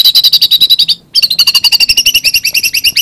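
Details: White-rumped shama singing a fast stream of sharp high notes, a short break after one second, then rapid repeated chips with lower accompanying tones, all loud and close.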